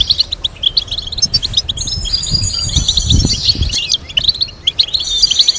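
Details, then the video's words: European goldfinch singing a complex melody for tutoring other goldfinches: rapid sharp chirps and tinkling twitters in fluttering runs, with a faint low rumble beneath the middle part. "Teaching goldfinch to sing complex stimulating melodies"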